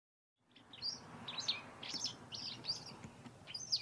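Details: White wagtails in a garden in autumn, amid intensifying territorial fights: a run of sharp, high chirps repeated roughly every half second, with a faint low background hum.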